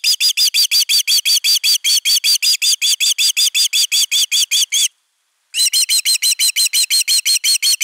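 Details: Nest-defending osprey on camera, 31 August 2021, giving a long volley of shrill, piping whistles in steady rapid succession, pausing briefly for half a second before resuming the same urgent rhythm.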